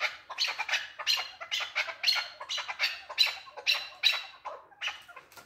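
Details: Male chukar partridge uttering a steady run of rough, rasping chuck notes, roughly two to three a second, with a brief pause before the last notes.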